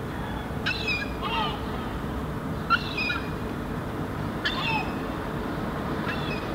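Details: A Herring gull fledgling, Helsinki, Finland, July 2016, on the ground, answers its parents calling nearby with loud, thin, squeaky whistles that drop in pitch, in short bursts every second or two, over low wind rumble.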